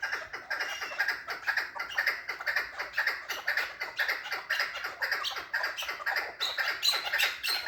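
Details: Loud, steady chukar partridge calling: harsh clucking notes repeated about twice a second in an even rhythm, with a higher, brighter phrase near the end.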